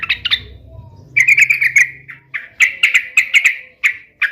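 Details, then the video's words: Sooty-headed bulbul singing vigorously: a few opening chirps over a low hum, then a long series of buzzy notes in quick succession, broken by short pauses, ending with isolated sharp calls. "SUARA KESUKAAN TRUCUK ❗ trucukan gacor SATU INI ahlinya JADIKAN burung trucuk gacor NYAUT SEKETIKA"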